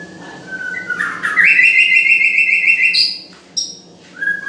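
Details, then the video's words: Murai, the white-rumped shama, delivering a long sustained whistled phrase, bright and slightly trilled, ending in a higher note, then a short pause and a soft closing whistle. "Suara burung murai ~Indah"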